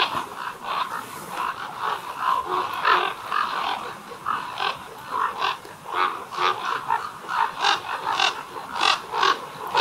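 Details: Common ravens gathered at a roost of more than 200 birds, amplified: a busy chorus of hoarse croaks and throaty calls, rising into rapid overlapping bursts through the second half.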